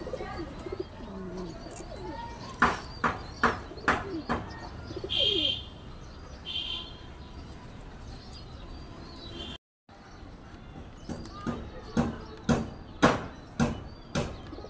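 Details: Domestic pigeons (Columba livia) kept on a rooftop give soft, low cooing among sharp, repeated clapping and tapping sounds.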